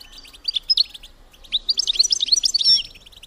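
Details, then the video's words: European goldfinch female giving a mating-stimulus call: a few sparse high chips, then a rapid tumbling twitter rising in loudness and ending in a sharp, ringing note. "بتبتة انتى الحسون لتحفيز الدكور على التزاوج"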